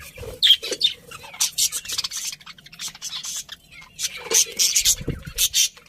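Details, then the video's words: Budgerigars chirping in bursts of dense, scratchy high chatter with brief pauses, plus some low rustling toward the end. "Cute Budgies Chirping Sounds"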